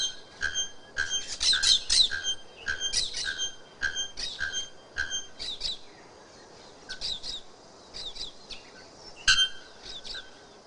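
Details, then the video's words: Bare-throated bellbird (araponga, also called ferreira) with a loud, strident, very high-pitched song; adult birds are white. Short, sharp, metallic ringing notes repeat irregularly, sometimes in quick doubles, over a hissing background. "ARAPONGA CANTA ALTO"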